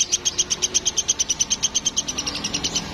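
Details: Woodpecker, called platuk from Sampit, recorded as a tutor sound for training songbirds: a fast run of sharp, high, clicking notes, roughly seven or eight per second, fading slightly near the end over faint background hiss.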